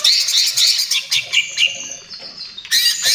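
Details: Greater green leafbird in trotol style, used as a lure and therapy for other birds: rapid stuttering high chirps, then a long thin whistle dropping slightly, closing with a loud harsh burst.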